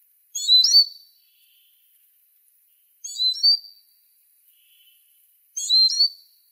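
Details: Singing Eurasian siskin, three high twittered phrases that each close on a sharp, level whistled note, spaced roughly two to three seconds apart on a quiet background.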